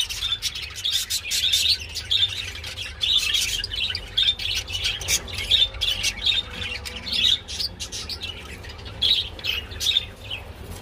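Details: Mating budgies keep up a rhythmic warble of clicking, chirping notes, bright squeaks recurring roughly every second amid rapid chatter, low hum underneath.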